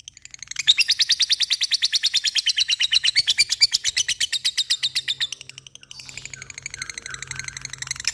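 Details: Lovebird in ngekek style, the long chattering 'cik cik cerrr' song, with a rapid run of high, dry, ticking notes for about five seconds before a softer, scratchier chatter; faint low hum underneath.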